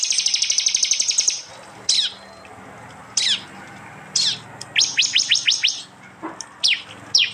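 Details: Prinia song recorded on an Android phone in East Java, mixed with other local birds into bird-training audio. A fast buzzy trill of high repeated notes opens, followed by sharp downward-sweeping whistles and a quick run of five rising notes.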